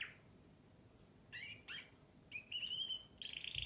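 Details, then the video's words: Canary singing short sweeping chirps followed by a long, even, high trill and a scratchy buzzy ending. "śpiew kanarka"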